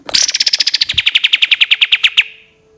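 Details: Cream-vented bulbul giving a long 'tembakan' shot: a rapid burst of about twenty sharp repeated notes, opening high and sliding lower, then steadying before ending abruptly, with a faint steady hum underneath.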